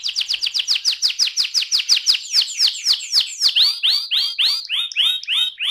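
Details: AF-type canary in rolling song: fast trills of repeated downswept whistles, speeding early on, then shifting to slower, broader sweeping notes about three per second.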